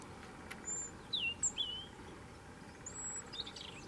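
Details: A Gran Canaria European robin (subspecies Erithacus rubecula marionae), recorded in the Gran Canaria midlands on 30 September 2017, gives thin, very high whistles and short falling slurred notes, spaced irregularly, over a steady low background hiss.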